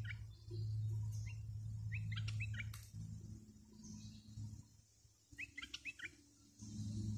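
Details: Decoy bulbul luring wild birds, repeating short chattering whistled phrases of three or four notes several times, some clicks and a wing-like rustle between, with a heavy low hum coming and going.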